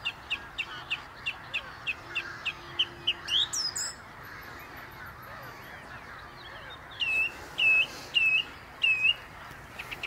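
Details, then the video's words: Song thrush singing from the top of a tree by the Inn River; a rapid run of short, sharp repeated notes, then a clear whistled phrase repeated four times in a row, over faint background hum. "song thrush singing beautiful on top of a tree"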